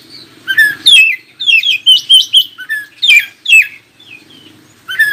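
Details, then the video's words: Oriental magpie-robin singing to stir other magpie-robins into song: varied whistled phrases, falling slurs and brief buzzy notes in clusters, faint low hum underneath. "KACER ANDA LANGSUNG IKUTAN NYAUT dan NGOBRA JIKA DENGAR SUARA KACER INI"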